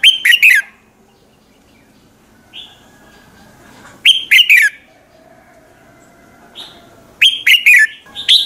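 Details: Red-whiskered bulbul singing in the morning, used as a lure to stimulate other birds: three loud, bright warbled phrases of quick rising and falling whistles, spaced about three to four seconds apart, with soft single notes between.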